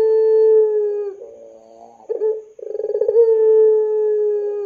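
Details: Puter pelung dove, a long-cooing dove kept as a lure for young doves. Low, steady drawn-out coo with clear overtones and a slight downward drift, broken by a short warbled pulsing section, then another long sustained note.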